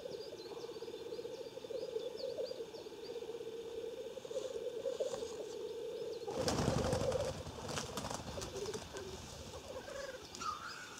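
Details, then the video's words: Black grouse at a lek in Klassino, Omsk region, Siberia, in 2018, keeping up a continuous low, bubbling cooing broken by a harsh hissing sneeze; faint high chirps of other birds run above. "Black grouse lekking"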